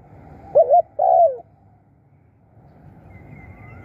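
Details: Decoy spotted dove calling in wild birds: a clear two-part coo, a brief wavering note then a longer drawn-out falling one, followed by quiet background with a thin distant whistle.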